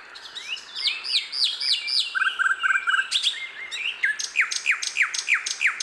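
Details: Wild sikatan londo singing in natural surroundings: rapid runs of bright, sharply down-slurred whistles, several per second, with overlapping twittering and a short burst of low clipped notes from another bird midway.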